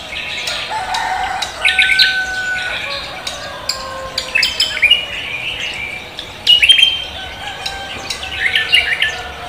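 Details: Leafbird called cucak kombo singing heavily at daybreak: a lively mix of clicks, chirps and rising whistles, delivered in irregular bursts throughout.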